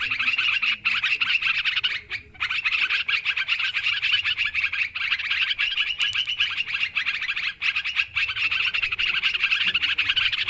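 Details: Sooty-headed bulbul flock sound, played as a noisy trapping lure: a long, dense chorus of bright chirps and chatters, with only brief breaks in the busy stream.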